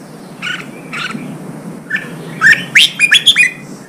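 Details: Red-whiskered bulbul song used to stir wild-caught birds to fight and to train singing: faint phrases at first, then a louder run of sharp, warbled, slurred notes in quick succession over a steady low hiss.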